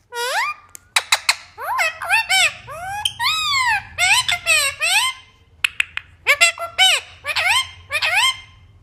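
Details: Three green pet parrots at play indoors: a rapid run of squeaky, rising-and-falling whistled squawks and chattering notes, some swooping in arcs, with brief pauses between bursts.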